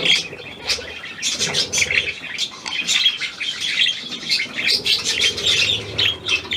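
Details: On 17 February 2023, a new hand-tame Australian pied budgerigar keeps up chirpy, scratchy warbling with sharp clicks, fairly even in loudness throughout.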